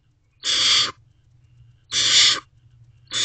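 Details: Barn owl owlets in a nest box just after midnight on 21 May 2023, two siblings allopreening while waiting for food; harsh, breathy hissing screeches, each about half a second, three bursts spaced roughly every second and a half, low background hum.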